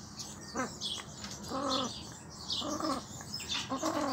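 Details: Male Temminck's tragopan giving short harmonic calls, each under half a second, repeated about once a second, among a dense background of high thin chirps from many small birds.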